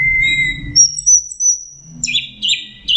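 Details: Orange-headed thrush, teler singing: a steady whistle, then a long, very high, thin held note, ending in harsh buzzy chirps, over low rumbling noise.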